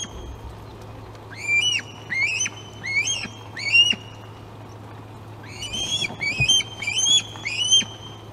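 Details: On 26 August at the Glaslyn osprey nest, during a day of fish deliveries to two young, two bursts of sharp, upslurred whistled chirps, each of four to six notes, separated by a quiet pause.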